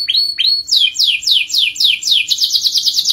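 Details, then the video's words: Singing canary in a long rolling song for prompting other canaries: two clear upswept whistles, then a series of steep descending notes about three per second, speeding into a rapid trill. "Kenari Gacor Ngerol panjang, untuk Pancingan Jenis Kenari apapun."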